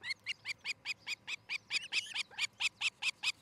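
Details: Osprey at a nest in Charlo, Montana, on the morning of 13 July 2018 (06:13–07:13), giving a rapid series of high, whistled chirps, about five per second, at a steady pace over a faint low hum.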